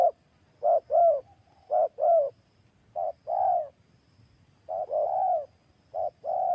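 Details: Spotted dove, a new decoy bird with a big voice used to lure wild doves: deep, hollow coos in short paired phrases, a brief note then a longer rolling one, repeated about once a second with gaps, over a quiet low hum.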